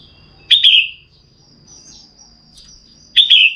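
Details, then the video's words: Female red-whiskered bulbul exciting a male: two bright, quickly falling whistled chirps under three seconds apart, over a low droning background and a faint steady high tone. "CHÀO MÀO MÁI KÍCH TRỐNG CĂNG LỬA"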